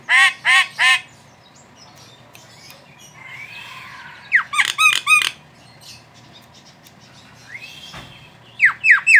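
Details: Javan myna chatter for luring other mynas to sing: three harsh squawked notes, a soft warble, a tight volley of sharp down-slurred whistles, and a final trio of descending whistles.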